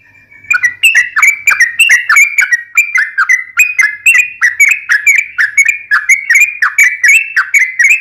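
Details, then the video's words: Fast gacor ngalas ropel song of a sooty-headed bulbul: after a faint start, a loud rapid sequence of chirpy whistled notes, each dropping in pitch, repeated several times a second without a break. "KICAU SUARA trucukan gacor TARUNG NGALAS ROPEL"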